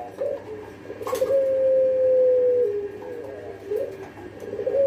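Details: Pelung dove, kept as a caged songbird, delivering one long, even whistled coo of over a second that drops slightly at the end, framed by soft shorter coo notes before and after, in a quiet indoor setting.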